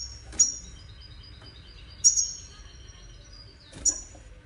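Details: Wediani goldfinch heard as three short, sharp high calls roughly every one and a half seconds over a soft background hiss.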